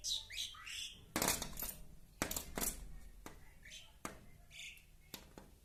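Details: An Indian pied myna attacking its reflection in window glass, later joined by its companion, gives a quick run of varied, slurred whistles and squeaky notes, broken up by loud sharp taps and knocks.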